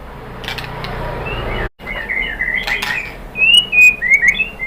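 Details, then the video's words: White-rumped shama lure song (pancingan murai). Quiet rustling and a few short notes lead into a series of clear, high, slightly slurred whistles repeated in quick succession toward the end. "MURAI BATU jadi EMOSI NYAUT GACOR ¦ PANCINGAN MURAI ¦ SHAMA BIRD"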